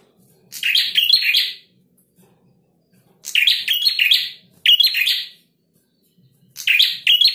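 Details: Male prinia singing actively: harsh, buzzy bursts about a second long, each made of rapid scratchy notes, arriving in four bouts separated by short silences, with a faint low hum underneath.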